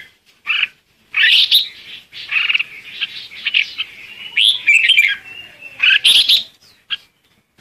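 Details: Red-whiskered bulbul singing a lure song to call the flock, a lively run of bright, slurred whistled phrases and chirps strung together with brief pauses.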